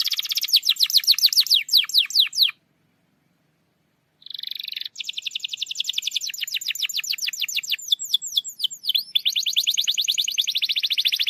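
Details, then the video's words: Lure song of a canary to make a lazy canary sing: fast rattling trills, a short pause, a buzzy note, then long sequences of rapid falling sweeps and dense high trills. "PANCINGAN KENARI MALAS BUNYI"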